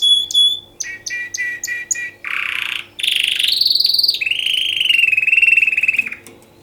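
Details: Canary singing for mating: bright repeated chirps, then a harsh buzzy burst, a long rising rapid trill and a sustained slightly falling rolling trill.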